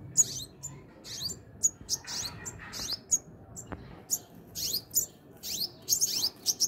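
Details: Rapid series of high, thin, sharp chirps and downslurred squeaks, many in quick succession, from sunbirds feeding and protecting young at their hanging nest.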